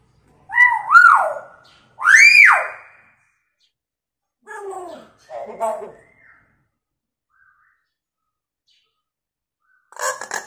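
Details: Hill myna used as a lure for quiet mynas, mimicking sirens and a woman's scream: loud rising-and-falling whistled swoops, then softer garbled speech-like phrases and a short noisy burst in a quiet room.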